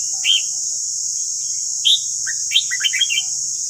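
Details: Red-whiskered bulbul with white cheeks in morning song for training: a few separate chirpy whistled notes, then a quick run of warbling phrases near the end, steady high hiss and a faint low hum behind.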